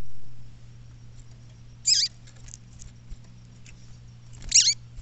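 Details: Female double-collared seedeater calling in the bush: two high, strongly downward-sweeping notes about two and a half seconds apart, a brief low thump at the start, a quiet hum beneath.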